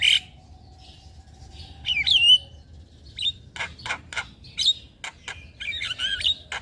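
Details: Master song of a Javan myna with full fill-ins for young birds: a long thin steady tone, a loud twisting whistle, then spaced sharp clicks and a closing jumble of high chattering notes.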